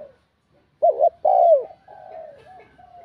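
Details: Spotted dove (Spilopelia chinensis), coo: provoking rival males.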